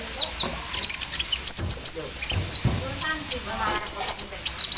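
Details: Javan sunbird, set out in the morning, in full song with embroidery-machine imitation: a rapid stream of piercing high chirps and brief trills, nearly continuous, some notes doubled, with faint lower rustling beneath.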